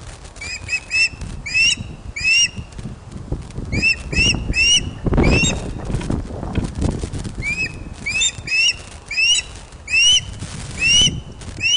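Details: Excited ospreys at a Loch of the Lowes nest in Scotland, webcam footage from 31 August 2013, 16:39, as a large fish is delivered. Dense volleys of piercing, upslurred whistles come in quick groups, with some low rumble.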